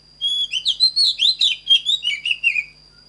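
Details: Oriental magpie-robin singing a standard-voice song for training other birds: a rapid, varied string of clear whistled and slurred notes, rising and falling, about two per second-plus, with a steady high whine running behind.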